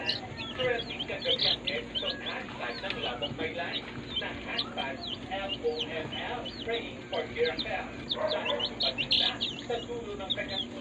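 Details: Day-old baby chicks in a brooder, a dense chorus of many high, clear peeps, each a short falling whistle, overlapping constantly with no pauses.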